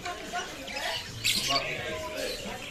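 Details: A talking grey parrot makes speech-like voiced syllables with a brief sharp squawk in the middle, while a person nearby repeats "as-salamu alaykum" to prompt it.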